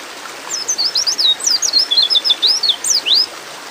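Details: White-eye (pleci) in a therapy recording meant to get birds singing quickly gives a quick run of about a dozen thin, high twittering notes, sliding up and down, over a soft background hiss.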